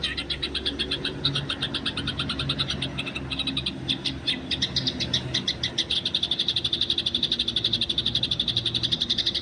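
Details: Eurasian tree sparrows in the wild, fighting, recorded as training material for other birds: fast, steady run of bright, high chirps, about four a second, growing louder toward the end, over a low background hum.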